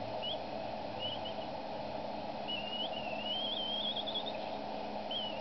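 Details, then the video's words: Female bald eagle at the Decorah nest in a cottonwood, calling at the male as he feeds the eaglets an evening meal, 23 April 2012: thin, wavering high squeals, two short ones, then a long quavering whine, over a steady low hum. "Mom Screeching at Dad Again!"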